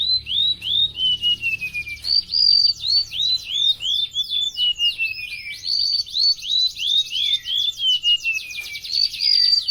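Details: Golden-bellied gerygone of Indonesian mangroves and coasts in full gacor song: sweet high whistles, clusters of quick downslurred notes and long descending glides, repeated phrases flowing almost continuously with a faint thin background hiss.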